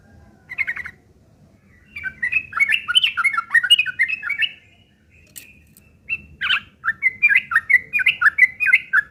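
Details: Sooty-headed bulbul in a harsh, chattering fighting song used as a lure to draw other birds to answer; rapid bursts of short, slurred notes in two runs separated by a brief pause.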